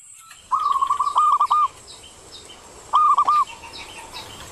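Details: Ngerot-style Zebra dove song: two short, even phrases of rolling, slightly tremulous coos, about two seconds apart, with faint high chirps in the background.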